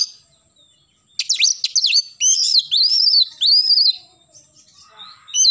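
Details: Oriental magpie-robin singing in the morning: after a quiet start, sharp sweeping whistles, then a run of loud, rising-and-falling looping notes, with a faint steady high tone behind and softer chatter at the end.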